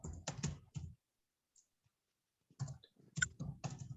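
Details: Bursts of clicking and tapping, like typing on a keyboard, come in two groups separated by a quiet stretch, with no animal voice.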